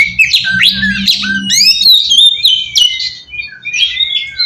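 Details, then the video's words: Magpie-robin lure song aimed at drawing a reply from other magpie-robins: sweeping upslurred whistles and buzzy notes, then clear level whistles, with a low humming background early on. "suara pacingan burung kacer ampuh!! buat mancing kacer bahan dijamin langsung nyaut"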